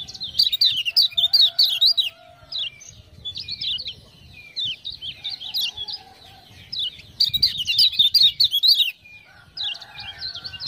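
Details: Trained lemon-bellied white-eye from Lombok, answering 'ciak-ciak' prompt sounds, gives repeated bursts of rapid, high, bubbling warbles about every three seconds, with quieter scattered notes between and a faint low steady tone.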